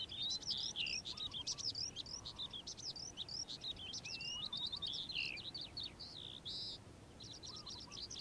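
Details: Morning song of a calandra lark, a dense, fast stream of high chattering, trilled and whistled notes without pause, with brief soft lower phrases now and then and a quiet rural background.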